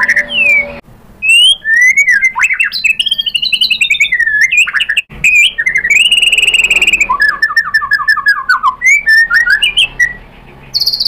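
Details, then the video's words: Lure song of a white-rumped shama meant to agitate a rival into replying: loud, clear whistled phrases, up- and down-slurred notes, one long sustained whistle, then a rapid descending series of repeated notes, with short silences between phrases. "pancingan MURAI BATU GACOR FIGHTER ampuh untuk menaikkan emosi biar NYAUT BONGKAR ISIAN"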